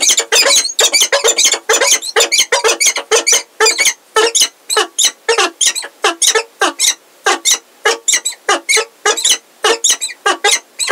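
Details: Peregrine falcons at Heidelberg, an established bird with a new unringed female, 17 February 2023 in the afternoon: harsh, broadband, squeaky calls given in rapid bursts of about one and a half per second, loud and close.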